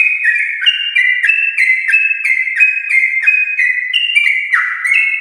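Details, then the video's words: Rapid, continuous song of a champion-line Yellow-vented bulbul, used to trigger singing in pet birds. Ringing whistled notes follow one another about three times a second, see-sawing in pitch. "Trucukan gacor ropel panjang TRAH JUARA untuk pancingan trucuk rumahan"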